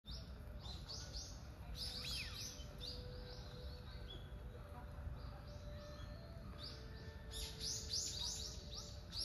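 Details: Common kingfisher at Zenpukuji Park, Tokyo, on 28 November, recorded on a smartphone: high, sharp, downward-arched notes in quick irregular runs, some overlapping, over a steady low background rumble.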